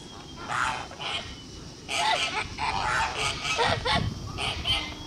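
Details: Blue Kholmogory gander hatched in 2016, recorded on a farm on 21 August 2018, giving several harsh nasal honks in bursts, with quieter gaps and a low background rumble between calls.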